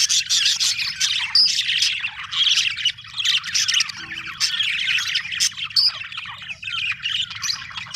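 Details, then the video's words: Happy budgies in full chatter: loud continuous scratchy warbling with squeaks and sharp chirps, a few clear whistled notes standing out, faint hum below. "happy budgie chirping sound"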